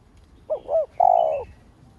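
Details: Spotted dove, called cu đất locally, cooing as a lure to stimulate other doves: one phrase of two short, arched, hooting notes followed by a longer, steady, slightly buzzy coo, in a quiet setting.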